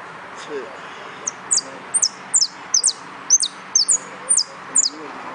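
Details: A yellow ("Amarillo Completo" class) canary in a singing contest sings a run of high, bright down-slurred notes, about two per second, with faint low murmuring in the background.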